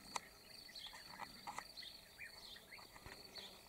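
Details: Several European bee-eaters (Merops apiaster) in Slovakia on 19 May 2019 give soft, rolling, liquid 'prruip' notes that overlap throughout, with a few sharp clicks and a faint background hiss.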